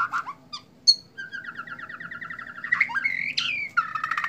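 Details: White-rumped shama in a bowing display, singing sharp chips then a long trill of repeated whistled notes rising into loud varied phrases and buzzy rattles.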